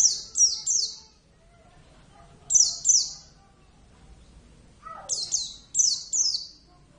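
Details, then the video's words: Kept Javan Oriental white-eye (Zosterops palpebrosus javanus) in lively form sings three bursts of high, thin, down-slurred whistles, each of two to four notes, a couple of seconds apart, with a soft lower sound before the last burst. "plecit gacor"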